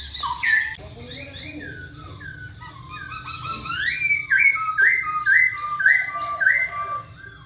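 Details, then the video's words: Masked laughingthrush singing, played to prompt lazy birds to call: harsh squawks open the phrase, then a series of clear, slurred whistles repeated about twice a second, swooping up and down, over a soft low hum. "KICAU BURUNG POKSAY HONGKONG GACOR"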